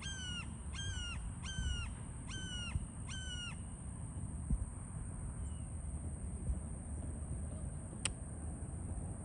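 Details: Red-shouldered Hawk recorded 4 December 2021 gives five loud, ringing, slightly downslurred kee-ah notes in quick succession, then falls silent; low rumble and a thin steady high whine run underneath.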